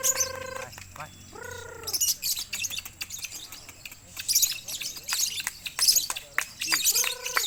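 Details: A West Sumatra, Indonesia singing contest with caged lovebirds. Bursts of shrill, fast twittering and chattering trills rise in waves, with brief human voices between them.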